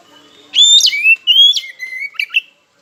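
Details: Single oriental magpie-robin phrase meant to provoke rivals into singing: a clear, steady whistle, a downward slide, a rising note, and a falling whistle ending in quick clicks.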